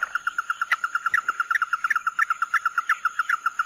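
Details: Chim mắt đỏ in tí nỉ song. A steady, rapid string of clear, identical piping notes comes about three per second, with occasional higher clicks woven in. A faint steady electronic-like high tone sounds behind it.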